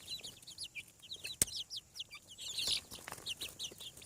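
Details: Chicks hatching on a farm: rapid series of bright, high, downslurred peeps from several birds, closely overlapping, with a sharp click near the start.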